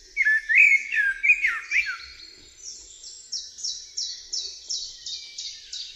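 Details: Mellow, fluting blackbird phrases rise and fall for about two seconds, then give way to a long series of high, evenly spaced chipping notes, roughly two or three per second.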